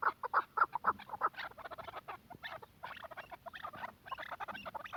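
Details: Quetta chukar partridge gives a few loud, evenly spaced clucks, then a denser, irregular jumble of chattering notes.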